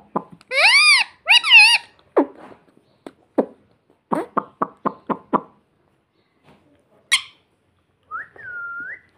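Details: Pet parrot talking indoors, trying to say "mummy" and "papa": a few loud, harmonic, wavering syllables early on, then a run of short clicks and knocks, a brief squeak and a final rising-then-level whistled note.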